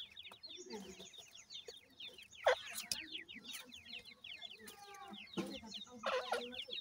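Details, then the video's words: Grey francolin chicks with a parent, cheeping in rapid overlapping series of short, falling notes, with several loud broadband bursts and low clucks in the background. "grey francolin teeter and chicks,dakhni titer k baby"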